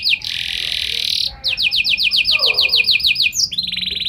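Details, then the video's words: Singing canary, used to draw replies from other canaries: a loud sustained buzzy roll, then a regular run of sharp downslurred whistles, ending in another short trill. "Burung Kenari Gacor Nembak Joss Cengkok Istimewa! Buat Kenari Lain Langsung Nyaut Gak Pake Lama"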